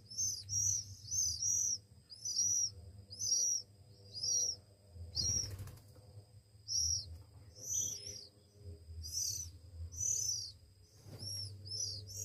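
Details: Oriental magpie-robin chicks aged one week beg while being hand-fed, producing a long run of high, shrill arched squeals in quick clusters, broken by brief rustling or flapping noises.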